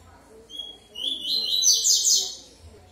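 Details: Yellow-bellied seedeater singing a brief high phrase of quick chirping, slurred notes, rising into a dense run of twittering elements before fading.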